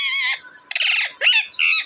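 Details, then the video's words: Native pet parrot, April 28, 2024, said to be talking: a run of raspy, nasal harmonic calls, one long buzzy phrase followed by shorter clipped squawks with brief gaps, bright and loud throughout. "Deshi Cute Parrot Talking Natural Sounds"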